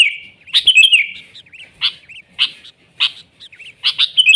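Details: Natural recording of a vigorous singing sooty-headed bulbul (kutilang); an opening twittered run followed by separate sharp chirps spaced about half a second apart, ending in a quick double chirp.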